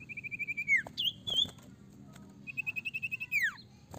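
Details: Sirtu in full song, meant to coax other sirtu to sing: two runs of rapid, evenly spaced short notes, each closing with a steep downward slur, with a couple of whistled notes between them.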